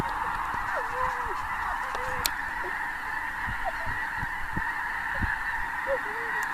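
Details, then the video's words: A huge migrating flock of snow geese in a blizzard at Clinton Lake, central Illinois, 6 February 2016: a dense, continuous babble of many distant voices, with single nearer honks dropping and curving in pitch every second or so. "snow geese blizzard"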